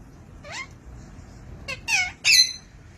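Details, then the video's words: Pet blue Indian ringneck parakeet speaking a greeting indoors; a short rising squeak, then three quick harmonic-rich syllables, the last loudest. "anyeong🦜 Indian Ringneck Parrot"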